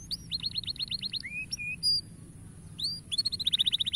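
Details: Canary song played to encourage young canaries to sing: rapid high chirped trills, sliding whistled notes and a fast repeated trill at the end, over a low background hum.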